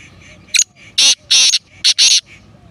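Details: Black francolin, the kala teetar, uttering a loud harsh grating call of short and drawn-out rasping bursts in quick sequence, with low background rumble.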